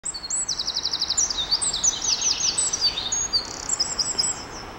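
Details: Eurasian wren in Alfred Capus park, Paris, pours out a loud, high, rapid song of trills and sharp notes lasting several seconds, over faint background noise.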